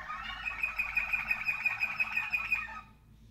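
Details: Waterslager canaries (kanarki wodnotokowe) from 2019 singing a dense, rolling song with rapid bubbling trills and a sustained warbling line, steady and unbroken for nearly three seconds before stopping.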